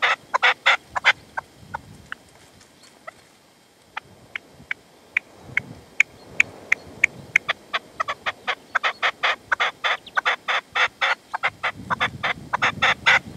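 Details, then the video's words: Partridge in the sierra at Manzanares at sunset, 27 February 2014, decoy calling while a male stays away; scattered sharp clicking notes at first, a lull with soft low rumbles, then an accelerating run of dry chuckling notes. "PERDIZ Y RECLAMO"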